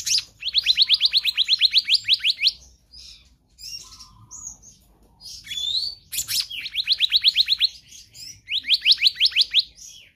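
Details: Black-naped Monarch calling in rich nonstop variety, offered as a master recording for other birds: three rapid trains of about fifteen sharply rising whistles each, separated by scattered buzzy and squeaky notes.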